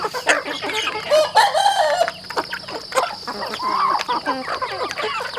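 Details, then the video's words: Several farm chickens calling while eating, with wavering drawn-out notes and short clucks that overlap, sharp pecking clicks, and a steady high-pitched hum throughout. "The sound of chickens on the farm eating with delicious food"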